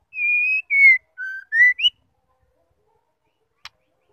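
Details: A female white-rumped shama call, used to rouse male birds into song: a single clean whistled phrase of a long level note and a slightly falling note, then a lower note and two upward-sliding whistles. A faint click follows in silence.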